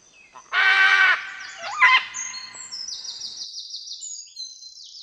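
A macaw gives a loud, harsh, grating squawk, then a shorter second squawk, followed by a fast series of thin, high chirps.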